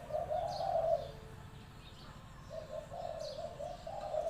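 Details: Decoy spotted dove at a trap enclosure, in good voice: a mellow cooing phrase, a pause, then a longer run of soft low coos, with faint high chirps from other birds.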